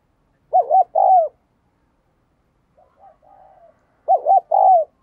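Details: Decoy spotted dove cooing to get other doves calling: two loud phrases of quick double notes and a long falling coo, with a fainter, softer coo phrase heard between them.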